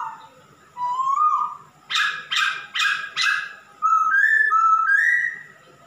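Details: Male masked laughingthrush, a cage bird in strong song: soft rising whistles, four loud harsh rasping bursts in quick succession, then clear whistled notes stepping upward.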